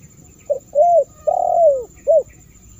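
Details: Spotted dove cooing, a call used to lure and attract wild doves: a short soft note, a longer hollow coo, a long drawn-out falling coo, then a final short coo, all low and mellow, with a faint steady high hum behind.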